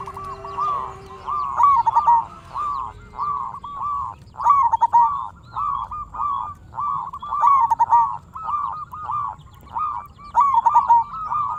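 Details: Local zebra dove singing steadily, used as a lure to draw other zebra doves into answering: rolling cooed phrases that start with a higher note and fall into quick pulsed trills, repeated back to back for the whole stretch, with softer trills underneath.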